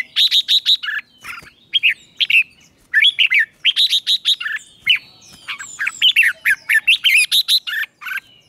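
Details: Red-whiskered bulbul morning song for training, a style locally called ché kích bổi: bright, loud whistled and chirpy phrases, rapid bursts of sharp notes following one another almost without pause, with brief gaps between phrases.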